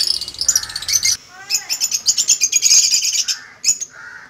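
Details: A pair of 10-month-old sun conures give rapid, harsh, high-pitched screeches in quick succession, with a few lower raspy notes.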